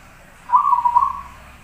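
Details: Zebra dove in strong song, used as a training model: one quivering, rolling coo under a second long, clear against a quiet background.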